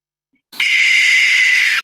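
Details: Adult barn owl screech, an eerie sound heard in the dead of night: one harsh, hoarse, steady shriek lasting a little over a second, beginning abruptly and ending sharply.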